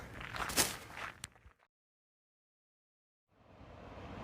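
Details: Footsteps and scraping on a rural electric trail near Kinderhook to Stottville, New York, cut to silence for nearly two seconds, then steady broadband wind-like noise rises; no animal voices.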